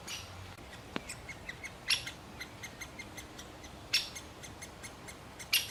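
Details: Male great spotted woodpecker feeding a chick, giving three loud sharp notes about two seconds apart, with softer quick ticks between them in a quiet setting.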